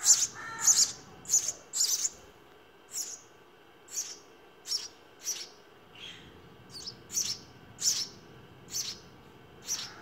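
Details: Baby house sparrows being fed in the nest give sharp high chirps, loud and clustered at first, then spaced about a second apart, with a soft background hum.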